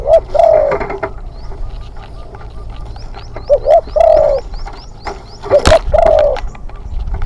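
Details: Young spotted dove used as a hunting decoy, taken out for its second training session, giving short, mellow coos in phrases of two or three notes. Thin, high chirps from another bird repeat in the background, with a few knocks and handling noises.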